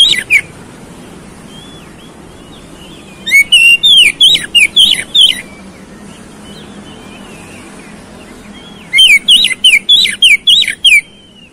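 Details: Oriental magpie-robin song played to trigger a fighting response: two bursts of loud, sharp whistled notes in quick succession, separated by quieter soft twittering, over a steady background hiss.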